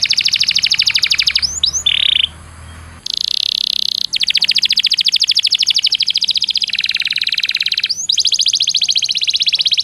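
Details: Canary master song used to train competition canaries: long runs of rapid, high, ticking trills, a brief pure whistled note, and a buzzy rolling passage, with sudden switches between tours and no other sounds.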